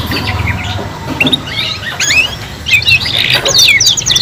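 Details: Three-in-one canary song for young canaries learning to sing. Scattered sharp chirps and short upslurred notes come in spaced bursts, ending in a quick rising trill, over a low background hum.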